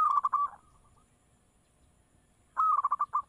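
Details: Local zebra dove used to lure others into answering, with two brief phrases of fast, stuttering coos separated by about two seconds of quiet hum.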